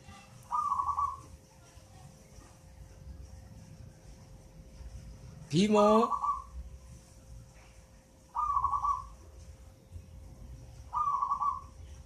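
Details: Young zebra dove, eight months old and found at a nest in a mango tree, singing regularly: short burry trilled coos repeated every two to three seconds, and one loud harsh rising cry midway.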